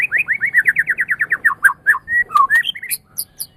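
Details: White-rumped shama song in a tutor recording meant to teach pet songbirds: a rapid run of a dozen or so identical slurred notes, then varied whistles and a few very high thin notes.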